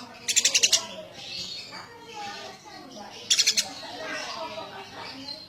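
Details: Eurasian tree sparrow calling: two short bursts of five or six rapid, sharp, high chirps, roughly three seconds apart, over a low steady background hum.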